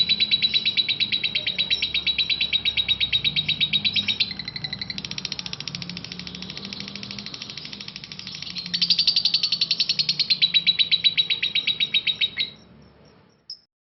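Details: Parblue lovebird delivering long chatter, ngekek panjang: a sustained rapid trill of high notes lasting over twelve seconds, louder in its second half, then stopping with one final squeak.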